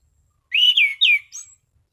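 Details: Clear 'ngeplong' song of an orange-sided thrush in good form: three rich, downward-slurring whistles run close together, ending in a softer high note.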